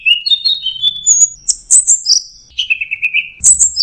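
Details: Orange-headed thrush in teler style, with varied whistled notes that jump between high and mid pitches and end in a rippling trill followed by sharp high whistles.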